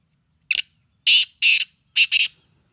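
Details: A Black francolin kept in Karachi gives its harsh, grating phrase: a short sharp note, then two rasping notes and a quick final pair, all high and scratchy.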